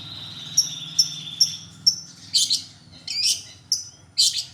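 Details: Long-tailed shrike lure song: thin high whistled notes spaced about half a second apart, alternating with short harsh chattering bursts, over a low droning hum.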